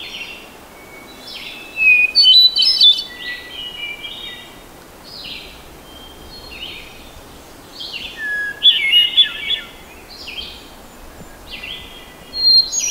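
A hermit thrush sings short, flutelike phrases, each a clear opening note and then a swirling trill. Every phrase is pitched differently, with pauses of one to two seconds. Soft background hiss.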